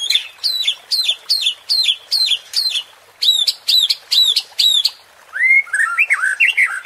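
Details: Murai batu, the white-rumped shama, in a provocation track for stirring aggression: a bright note with a sharp downward hook repeated about twice a second, then a quick jumble of lower warbled whistles.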